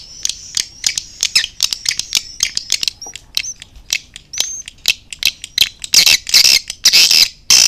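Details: Indonesian swiftlet calling sound used as a lure for bird houses, mixing outer and inner lullaby calls: rapid sharp high clicks and short twittering chirps, with a few thin whistled notes, then loud dense buzzy chatter at the end.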